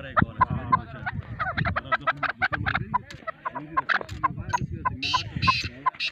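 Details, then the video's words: Male chukar partridge calling in quick, clipped chuck notes, repeated rhythmically with louder bursts toward the end and a low murmuring background throughout. "Chukar partridge | Chakor voice male"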